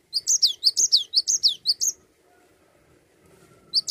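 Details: Cinereous tit in lively, continuous rolling song, used to prompt other songbirds to sing: bright two-part whistled phrases falling in pitch, repeated about twice a second, then a pause and a fresh burst.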